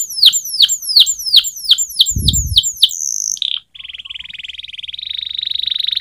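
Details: Canary singing a training song. Rapid downward-sweeping whistled notes repeat steadily, a brief low thump cuts in, then a short high note and a long even buzzy rattle of rapidly repeated notes.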